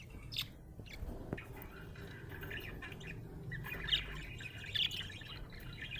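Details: Chirping from a happy budgerigar: scattered squawky notes and a louder warbled chatter in the second half, some clicks and a low background hum.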